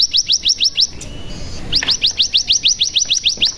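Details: ['Cigun decoy recording with ciblek fills: quick, regular high chirps, about three per second, broken by a short pause.']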